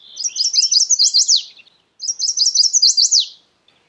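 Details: Two high, clear Chestnut-sided warbler phrases, each a fast series of bright notes ending in a strong downward slur, with a short gap between them.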